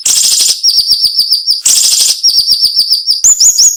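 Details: Cinnamon-bellied flowerpecker song in the sharp, tight nembak style with short pauses, used as a tutor recording for training songbirds: harsh buzzy bursts alternate with rapid series of thin high descending ticks, ending with brighter slurred whistles.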